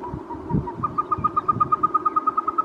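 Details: A male Caspian snowcock, a bird of high rocky mountains above the treeline, gives a fast run of clear whistled notes, about eight a second, starting soft and rising slightly in pitch as they grow louder, over a low rumble.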